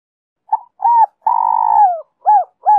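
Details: Spotted dove song, 'Giọng Kim 2 hậu' style, played to lure wild doves: a clipped opening note, a short hooked coo, a long vibrating coo easing downward, then two crisp arched endings.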